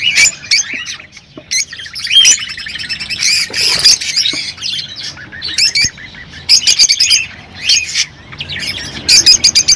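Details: Chattering of rosy-faced and Fischer's lovebirds meant to encourage mating: shrill squeaks, buzzy squawks and quick trilled bursts in irregular groups, with a few soft flutters between calls.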